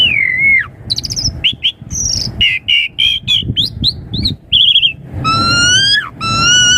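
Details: Mixed whistles and chattering from an Asian pied starling, used to coax young starlings into answering. A falling slurred whistle opens, dense choppy notes follow, and it ends with long, richly harmonic rising whistles.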